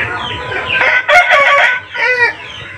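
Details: Chickens kept inside a coop in the morning, West Bengal, before being let out: a loud harmonic call swells, breaks off, then returns in a shorter burst, ringing over softer background clucking.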